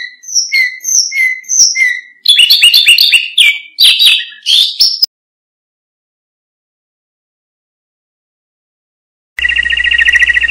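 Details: Canary singing, used to provoke and teach other birds: evenly spaced paired whistles, then a rapid dense trill and buzzy rolls, followed by a long silence and a brief burst of electronic noise.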